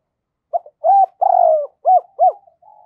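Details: Spotted dove used as a lure bird, cooing to provoke wild doves: a short series of low, mellow hooting coos, a longer drawn-out coo followed by two quick arched notes, then a faint trailing note.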